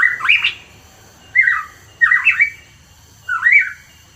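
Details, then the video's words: Hooded pitohui, presented as a lure recording for songbird keepers: four harsh, squawky, slurred phrases of a few notes each, spaced about a second apart, with a faint low hum underneath. "PANCINGAN PITOHUI KEPALA HITAM"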